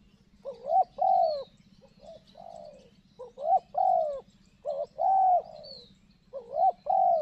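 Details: In the morning at a dense, bushy site near corn, a spotted dove, either the decoy bird used to lure wild doves or a wild dove, gives soft, hollow cooing phrases. Each is a few rising and falling mellow notes, repeated every couple of seconds over a faint low hum.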